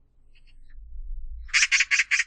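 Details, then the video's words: Oriental magpie gives four harsh, rasping chatters in quick succession, about five per second, after a few faint high chirps over a low background rumble. "까치, 여러번 듣기, 곤충소리, 새소리"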